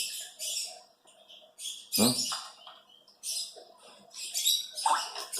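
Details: Cherry, a 4-year-old female pet Congo African grey parrot, gives short bursts of raspy, chattering vocalizations with sharp squeaky notes, broken by brief pauses, indoors while people talk nearby.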